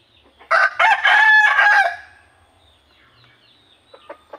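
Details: Burmese rooster on a rural Indonesian chicken farm crowing in the morning: one loud, harsh crow of about one and a half seconds, broken into a few bursts, followed by a few soft clucks.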